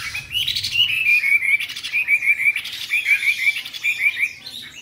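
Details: Young sibia, three months old, kept in Hanoi, Vietnam, just brought in and unbathed, delivering a steady sequence of clear high whistled notes, short rapid trills repeated roughly once a second, with faint low hum beneath.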